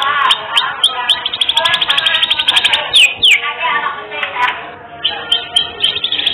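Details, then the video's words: Domestic canary singing its varied, uniquely phrased song, meant as a master recording for teaching other birds: continuous fast buzzy trills with quick upward-sweeping whistles in the middle and loose chirps at the end. "Masteran Kenari 3 Menit Langsung Gacor"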